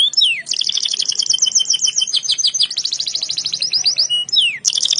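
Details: Canary singing a fast continuous song: rapid trilled rolls of high notes, repeated sweeping phrases and downward slurred whistles, loud and unbroken throughout.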